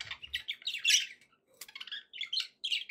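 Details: Budgerigars twittering and squawking in a busy stream of high chirps, with a louder squeak burst near the start and a brief low thud at the beginning.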